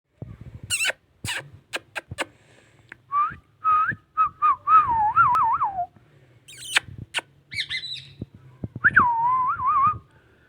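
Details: Rose-ringed parakeet, described as an amazing talking Indian ringneck, gives wavering whistled phrases that rise and fall, some trilled, mixed with sharp clicks and taps and a brief higher squeaky note.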